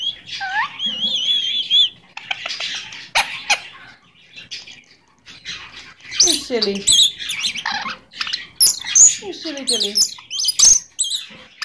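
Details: Pet Goldie's lorikeet, said to say "give me a kiss": opens with clear whistled, bending tones, then scratchy chatter and a burst of excited, swooping speech-like squeals with sharp clicks toward the end.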